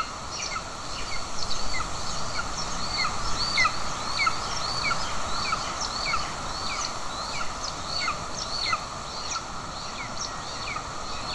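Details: Mother golden eagle feeding an aggressive chick in Estonia on 20 June 2024, the father present with a bird; quick, thin, falling chips tumble in an uneven series over a low steady drone.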